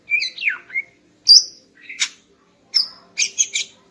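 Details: A female greater green leafbird sings in the morning to arouse a male: descending slurred whistles, a loud high note, an upslurred chirp, then a short cluster of bright, harmonic chips, with quiet pauses between.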